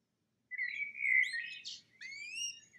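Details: Male pet canary singing indoors: a drawn-out, slightly wavering whistled note followed by rising slurred whistles with higher overtones.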